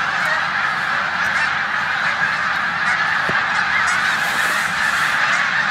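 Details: A flock of snow geese rests in a New York corn field in Savannah on 14 March 2020, days before leaving for the Canadian tundra; a thick, steady chorus of high honking with one brief thump.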